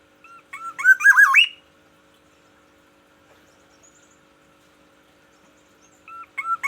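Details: Black-naped oriole kept in Aceh, calling in the morning to mark its territory: a rich fluty phrase of quick wavy whistles that rises at the end, then a long pause before the phrase begins again, with faint hum behind.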